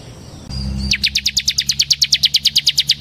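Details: Bar-winged prinia, semi variety, in gacor ngebren song for use as a tutor recording: a brief faint tone and low hum, then a rapid, very regular series of bright, high, falling notes, about six per second.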